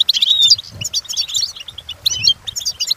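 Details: Lively European goldfinch song recorded for training, dense tumbling twitters with sliding whistled notes and buzzy trills packed into quick phrases, a faint low thump beneath.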